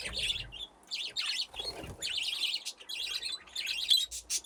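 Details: Several budgerigars playing in an aviary with nesting boxes give busy zigzagging warbles and chirps in overlapping bursts, with a soft low thump partway through.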